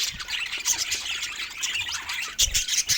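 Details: A short burst of budgie chatter from birds playing together: thick, scratchy high warbling with sharp chirps and a few brighter squeaks near the end.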